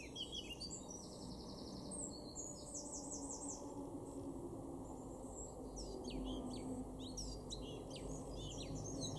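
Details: In a garden at Weener, East Frisia, Germany, in April 2024, a male Eurasian blackcap sings two warbled phrases of rapid high notes separated by a quieter gap, with steady low background noise.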